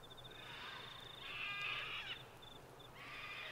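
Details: Sulphur-crested cockatoos at Mt Coot-tha, Brisbane, Queensland, recorded 6 November 2022 on a Canon R7; distant grating screeches, one long and one shorter, over a steady high insect-like tone and background hum.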